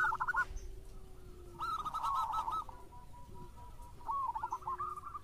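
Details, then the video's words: Local Indonesian zebra dove, used as a lure to spur other doves, singing short bursts of rapid, bubbling coo notes separated by pauses, over a steady background hum and low rumble. "JAWARANYA PANCINGAN !! ( Perkutut Lokal Gacor )"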